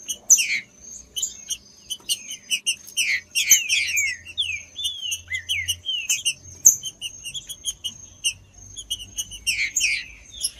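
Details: Green-winged saltator song, played to stimulate birds kept by tournament breeders: repeated groups of downward-sweeping whistled slurs with sharp clicks, over an unbroken rapid high-pitched chipping.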